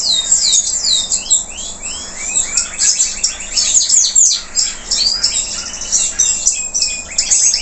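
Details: Local canary still singing hard after moulting: a dense, continuous high warble mixing quick falling slurs, chirps and rattling trills in short bursts, delivered loudly and almost nonstop for over seven seconds.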